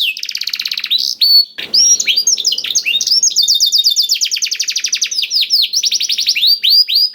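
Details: Canary performing a blackthroat-filled song, played to get canaries singing: dense rapid trills and chirps with a brief click near the start, continuing in long busy rattling phrases.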